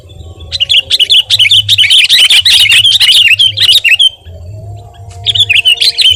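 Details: Actively singing Sooty-headed bulbul, a tutoring and lure recording: dense, rapid, wavering chatter for about three seconds, a short gap, then another run of twisting high notes, over a pulsing low hum.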